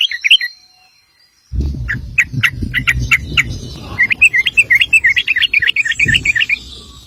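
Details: Sooty-headed bulbul delivering long 'ropel' song for training other birds: scattered sharp notes, then a brisk, steady chain of bright chirps about six per second, with low background rumble.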